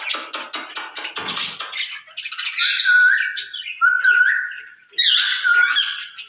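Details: Two caged ring-necked parakeets exchanging speech-like sounds in Urdu or Hindi: fast pulsed rattling chatter, then several hoarse phrases each ending in a short level whistle.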